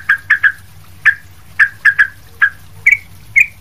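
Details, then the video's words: Sooty-headed bulbul calling energetically as a tutor for other bulbuls: rapid clipped chirps, pairs and triplets, ending with two higher, brighter notes, low hum in the background. "trucuk ribut gacor buat masteran trucuk lain"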